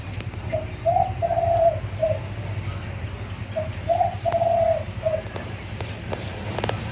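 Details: Spotted Dove singing in the Thai 'two kuk hoi' style. Each phrase opens with a short coo, then a longer rolling coo, and ends with a short closing note. The phrase comes twice, about three seconds apart, with faint clicks and a low background hum.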